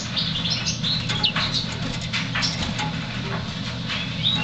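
African yellow canary giving quick, high twittering chirps and short whistled slurs in scattered bursts, over a steady low hum with possible wing flutters.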